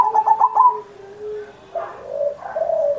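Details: Zebra dove singing steadily on Indonesian Independence Day, a master recording meant to coax pet zebra doves that are quiet or still learning into song: a quick stuttering pulsed trill, then soft drawn-out mellow coos sliding lower.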